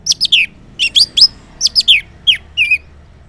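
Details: Orange-headed thrush in loud morning ngeplong song, meant to lure silent males into answering: short groups of two or three sweeping, slurred high whistles and sharp notes, closely repeated, with a clean quiet background.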